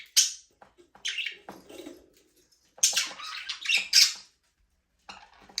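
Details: Budgerigars, Australian parrots, in a small aviary, free flying and playing: bursts of scratchy, buzzy chirps and squawks in short clusters with brief silent gaps, no music.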